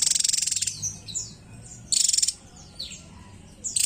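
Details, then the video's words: A Javan tesia sings very high, buzzy rattling bursts, with thin, slurred whistled notes between the bursts roughly every two seconds. "BURUNG TESIA JAWA GACOR"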